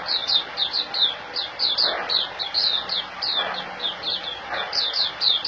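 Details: A kept white-eye (puteh) from Singapore sings a brisk, steady string of high, clear, falling chirps, about three or four a second. Faint broader noises sound underneath now and then.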